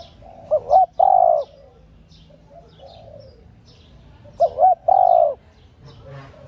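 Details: Calling female spotted dove used to stir up males, giving two clipped wavering notes and a sustained coo, repeated roughly four seconds later, with quieter coos heard between phrases.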